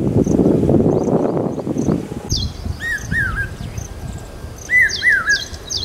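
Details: Common hawk-cuckoo heard during the monsoon in Aurangabad, its call taken as a sign of rain: after rumbling noise, two pairs of loud arched whistled notes, with higher sharp chirps of another bird and faint ticking calls.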